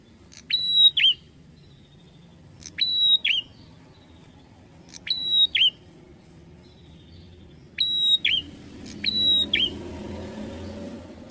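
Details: Repeated bar-winged prinia (prenjak atas) song. Five phrases, each a click, a sustained high whistle and a falling twist, come about every two seconds. A low murmur of background noise rises near the end.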